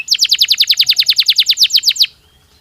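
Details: Canary song used to spur breeding: a steady series of about sixteen sharp falling chip-like notes repeated roughly every eighth of a second, ending abruptly in quiet.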